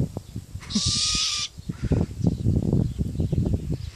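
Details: A hoarse, breathy screech lasting under a second comes from a young hybrid between great grey owl and Malay wood owl, probably a female, kept in captivity. Low thumping and rumbling noise runs underneath.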